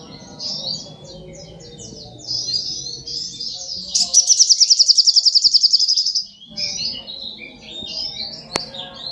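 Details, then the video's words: Sogok ontong song: high, chattering phrases, then a loud rapid trill of evenly repeated notes for about two seconds, followed by more twittering; a faint low hum runs underneath. "Kicauan Burung Sogok Ontong Super Gacor"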